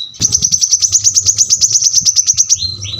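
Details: Kolibri kelapa, the brown-throated sunbird, firing an even, very fast series of about twenty sharp high notes in under three seconds, closing with two falling whistled slurs.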